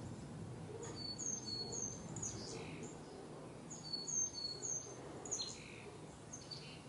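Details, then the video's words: Chickadees in backyard trees with autumn colours, fall 2021, give two quick bursts of thin, very high chips and twitters with softer slurred notes between, over a low background rumble. "Chickadees serenading"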